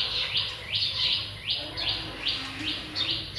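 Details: Captive zebra finch family in a cage, 1 May 2023, with three juveniles and three newly hatched young while the parents feed them. Short, sharply descending high chirps repeat roughly every half second in a steady series.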